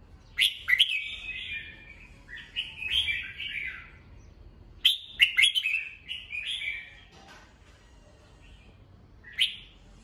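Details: Caged red-whiskered bulbul singing in the morning for voice training: repeated bright, warbling whistled phrases with sharp crisp attacks, growing sparse toward the end with one last short phrase.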